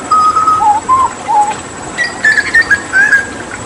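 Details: Hooded butcherbird, a Papuan endemic used to tutor other songbirds, whistling pure, slightly wavering notes. A long low phrase and short dips come first, then a brighter, higher series of clipped whistles.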